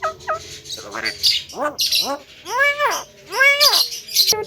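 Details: Javan myna song aimed at provoking other birds: harsh squawks mixed with drawn, arching nasal notes rich in overtones, rising and falling slowly, with bursts of rough noise between them.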